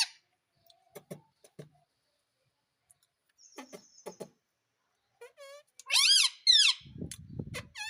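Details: A pet parrot mimicking speech, said to say "mummy": a few faint clicks and soft notes, then loud harmonic squawky syllables rising and falling near the end, with low murmuring underneath.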